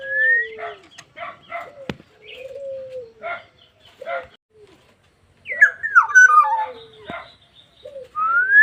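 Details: Black-naped oriole singing in a lively, full song: rising and falling whistles, low sliding fluty tones and rows of harsh nasal notes, with a burst of quick twisting whistles near the end.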